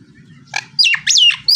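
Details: Nias hill myna, a male, with loud whistled notes that sweep sharply up and down, three strong phrases after a short harsh note, with low background hum.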